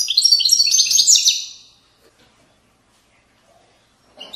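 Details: European goldfinch, Moroccan Widani song style: one quick burst of high, jingling twitters lasting under two seconds, then near silence until a brief faint note at the end.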